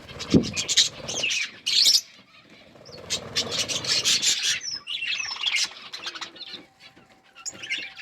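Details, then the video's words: Budgies eating food: sharp clicks and pecking taps, then scattered high, thin chirps and short warbled twitters, with quieter stretches of soft rustling between bursts. "Parakeet eating food budgies chirping sounds"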